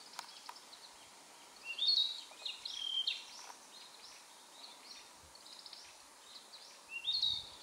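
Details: Narcissus flycatcher perched on a power line on a dim wooded mountain path at Mount Maya, 4 June 2017, singing short phrases of clear, rich whistles with quieter trills between over soft background hiss.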